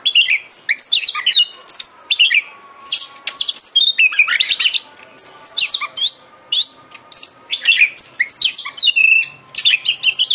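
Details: Oriental magpie-robin, or kacer, singing in a bait recording meant to make a kacer sing and open its tail. The song runs almost without a break, packed with sharp chirps, whistled slurs and fast twittering phrases.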